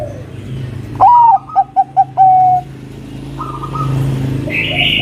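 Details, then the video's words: Bangkok zebra dove in lively song meant to provoke a rival into singing. A single phrase: a rising then falling whistled note, three or four short pulsing coos, and a sustained final note, over a low background hum. "Perkutut Bangkok Gacor suara burung Kutut Bangkok Gacor Pancingan manggil Lawan agar Bunyi Manggung"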